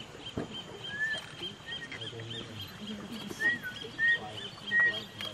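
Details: A white-throated toucan in the Amazon River Basin, Rio Negro area, in July 2014, gives four or five short, arched yelping notes, somewhat spaced, over a steady insect hum and faint voices.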